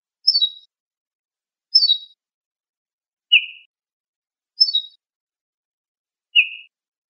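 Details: Ortolan bunting song. Short, high descending phrases of quick stepped notes alternate with a lower, slightly buzzy single note, about every one and a half seconds, against a clean silent background.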